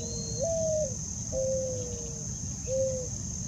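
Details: Male mourning dove perched on a rock among flowers in a park-like cemetery, giving soft, low, mournful coos: a first note sliding upward, a long steady slowly falling coo, then a short final coo, over a constant high insect hum.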